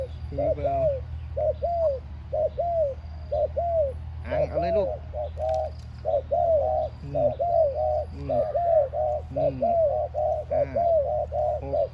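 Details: Spotted doves used as decoy birds, heard during a morning training session ahead of a 1 October 2023 competition, cooing in soft, hollow, mid-pitched notes repeated in quick overlapping phrases, with a low hum and brief voices behind.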